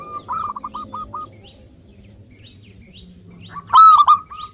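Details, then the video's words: Zebra dove of local stock, in active song, meant to prompt lazy birds to sing: a quiet run of clipped cooing notes, a long pause with low hum, then one loud rolling coo at the end. "Perkutut Lokal Gacor Suara Ampuh Mengundang Cepat Agar Bunyi _ Cocok Untuk Pancingan Malas Bunyi"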